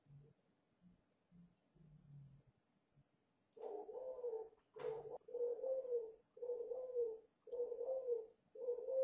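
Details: A five-month-old dove cooing vigorously gives six low, throaty coos, each about a second long, in a steady run after a few faint murmurs; a sharp knock breaks in once.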